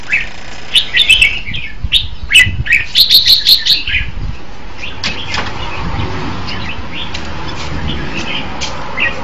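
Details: Red-whiskered bulbul song: a lively run of rapid whistled and chirping notes during the first four seconds, then softer scattered notes over a low rumbling background.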